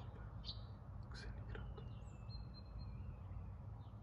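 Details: Common Buzzard calling as it flies in from above, 2 January 2022, Hellbühl, Neuenkirch, Lucerne, Switzerland: a thin, drawn-out, slightly falling whistle over a man speaking German, with short chirps from other birds and low rumble.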